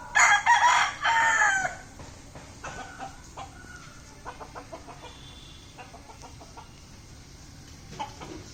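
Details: Indian rooster gives a loud, harsh crow that is over in under two seconds, followed by soft scattered clucks and faint background chatter.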